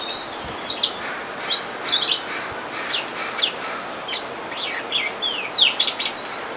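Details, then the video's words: Fox sparrow calling, giving sharp, high chips and thin downslurred notes in irregular bursts, several a second, over a faint steady hiss. "Fox sparrow calls"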